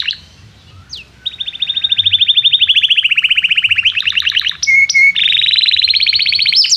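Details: Canary in full song, used as a tutor to stimulate young canaries to learn song: a faint opening note, then a long fast buzzy trill near steady pitch, a brief pure whistle pair, and a rising rapid trill at the end.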